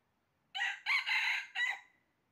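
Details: Red junglefowl crowing during a trapping session on 20 January 2023: one clear, harsh crow in three parts, a short opening note, a longer drawn-out middle and a clipped ending, with a quiet background.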